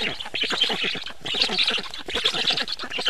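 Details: Evening feeding at a black stork nest, 24 June 2017: rapid rasping call bursts of quick pulses, separated by a short pause after about one second.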